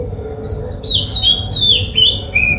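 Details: Oriental magpie-robin, known in Sinhala as polkichcha, recorded in Sri Lanka with a Nikon COOLPIX P1000: a continuous run of clear, high whistled notes, some sliding up and down, with short buzzy breaks over a quiet low hum.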